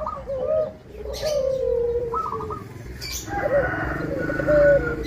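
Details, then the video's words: Zebra dove, a local Indonesian bird in full song with a clear 'crystal' tone, meant to provoke rival zebra doves into answering. Two gentle, rolling coo phrases with trilled, bubbling notes, close and loud, with a faint click between them. "Perkutut Lokal Gacor Suara Kristal"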